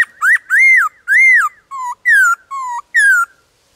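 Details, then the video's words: Many-voiced forest song of a wild black-throated laughingthrush: a rapid string of eight rich whistles. Arched, rising-falling notes alternate with low flat notes and downward slurs, with barely a gap between them. "Khướu bạc má hót ngoài rừng Nhiều Giọng"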